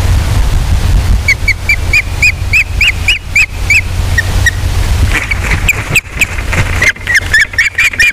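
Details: A nest camera on Captiva catches a mated Osprey pair during mating, 12 December 2021: steady strings of high, slightly arched whistled chirps roughly every third of a second, a brief pause, then faster overlapping chirps, with low wind rumble beneath.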